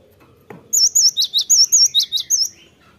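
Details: Cinereous tit song (gelatik batu) played as a lure to trigger singing: after a single click, one bright two-second phrase of about nine high, ringing whistled notes, evenly and rapidly repeated.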